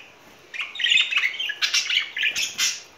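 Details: Courting pair of budgerigars in spring: after a half-second hush, a loud burst of grating, warbled chatter and squawky notes runs without break to the end.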